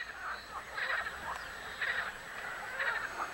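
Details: Eurasian coot on a pond in a city centre on 26 April 2022, giving short, harsh, nasal notes, about one burst per second, each a quick cluster of clipped sounds over a faint background hiss.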